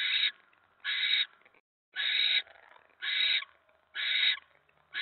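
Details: Barn owls at the nest during a mouse delivery on a November 2017 evening give loud rasping hiss-screeches, six bursts in five seconds, each roughly half a second, coming about once a second with brief quiet gaps between.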